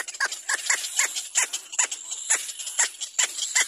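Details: Young little black cormorant crying for its mother to feed it: loud, insistent, harsh squawks sliding downward, repeated roughly every third of a second throughout, over a high steady hiss.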